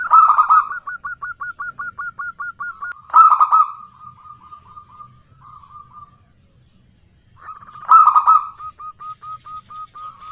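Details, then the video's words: Local female zebra dove calling a male, meant to lure doves into answering: a fast series of about fifteen crisp staccato notes, then two loud rolling coos trailing into soft purring, with a brief quiet gap. "Pancingan burung perkutut lokal gacor suara bikin nyaut kutut dirumah"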